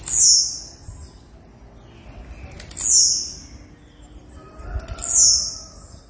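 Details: Three short, shrill, high-pitched calls from a female blue-black grassquit (tiziu), each sliding downward, spaced roughly two and a half seconds apart over a quiet, low background hum.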